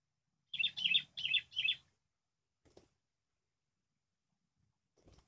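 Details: ['Wild sooty-headed bulbul answering a lure bird used for trapping, described as a fierce opponent. Four rapid, bright, bubbly whistled phrases come in quick succession, followed by a faint rustle and quiet.']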